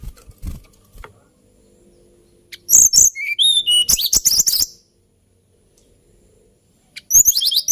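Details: Hill blue flycatcher singing: a short, lively phrase of high whistles and descending slides with rapid chips, then a long silence before another burst of quick high notes begins.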